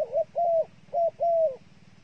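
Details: Dove kept as bait utters two paired coos, a short note then a longer level hoot ending in a drop, repeated twice in quick succession.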